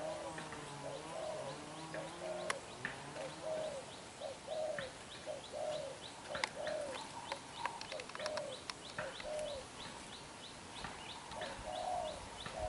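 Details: A young, black-eyed, wild-caught spotted dove coos hard and persistently: a long run of mellow, hollow coo notes, roughly one per second, some doubled, over light rural background noise and occasional sharp ticks.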